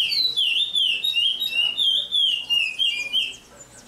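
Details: A chestnut-bellied seed finch sings a Paracambi-style song: a fluent, high, whistled warble sliding up and down in one unbroken phrase for almost four seconds.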